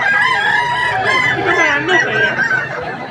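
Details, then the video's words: Kukuak Balenggek cockerels, the singing chicken of West Sumatra, crow at a contest arena thronged with fanciers. Loud, drawn-out, stepped crowing with bright harmonic bands fills the clip, with people talking and laughing behind. "lomba ayam kukuak balenggek"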